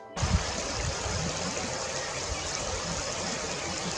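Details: Steady rushing of a stream or small waterfall fills the whole recording, broadband and constant, with no animal voice audible.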